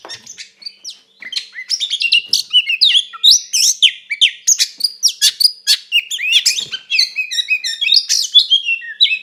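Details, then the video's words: White-rumped shama singing a fighting song to provoke a rival: after a quiet start, a dense rush of sharp clicks, whistled sweeps and rapid chatters runs almost nonstop for about eight seconds. "SUARA BURUNG KACER GACOR NGEPLONG TARUNG KONSLET TERAPI AMPUH BUAT PANCINGAN KACER AGAR EMOSI"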